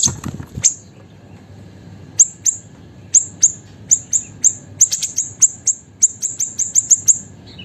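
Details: Small captive siri-siri bird in full, active song, used as a tutor recording for training songbirds: very high, sharp chirps, sparse at first, then a rapid string of repeated piercing notes.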